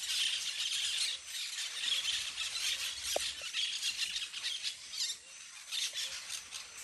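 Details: A playing flock of parakeets screeches nonstop from the treetops, shrill overlapping calls rising and fading, with one sharp click around the middle.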